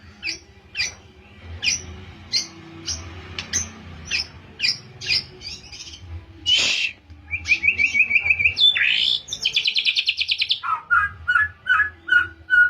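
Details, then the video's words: White-rumped shama, a caged bird trained toward canary-like phrases, in a rapid varied song: sharp repeated chips, then a fast buzzy trill, a high rattling run and a string of repeated lower whistled notes. "Murai Batu Pastol - Belajar tembakan kenari || CHIRPING SOUND ||"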